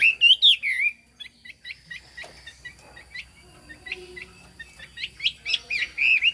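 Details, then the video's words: Chinese hwamei singing: loud, rich whistled phrases with rising and falling slurs opening and closing the passage, separated by a run of softer, quick, scattered chips. "Họa mi hót cao cầu"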